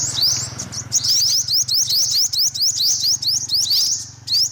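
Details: Rapid series of high, thin rising sweeps from an olive-backed sunbird, repeated almost continuously over a steady low hum.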